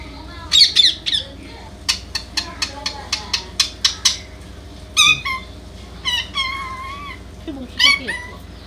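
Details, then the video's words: Indian ringneck parakeet talking: loud, squeaky high-pitched bursts with warbling, speech-like syllables, a rapid run of short clicky notes in the middle, then slurred rising and falling phrases in a quiet indoor setting. "indian ring neck parrot || talking mittu || talking parrots"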